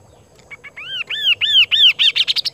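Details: Kaso-kaso bird singing actively: a few soft notes, then a run of loud arched whistles that rise and fall, each about a quarter second apart, speeding up into a fast, high rattling trill. Faint background hum.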